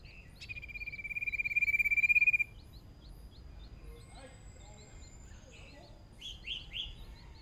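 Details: Hwamei decoy bird on its first practice round in a singing contest: a long, steady, pulsing whistle held for about two seconds, followed by faint notes and a few short down-slurred whistles.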